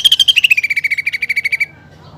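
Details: A short phrase from a greater green leafbird whose song carries mimicked fighting sparrows and pelatuk bawang: about twenty quick repeated notes stepping down in pitch and then holding level before stopping.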